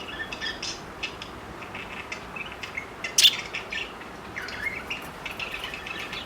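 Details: Four parakeets during flirting give scattered high chirps and short squeaky calls, with one sharp louder note midway, over a steady background hiss.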